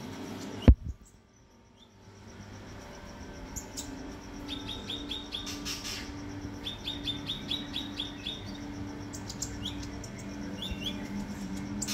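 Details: Kinoi singing in the morning, bright chirps in short rapid series of falling notes with brief pauses, over a steady low hum and a sharp knock near the start.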